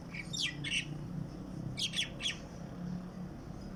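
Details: Bird heard in the morning outside a window: a few short, high chirps in two small bursts, the second a quick run of three notes, over a constant low hum.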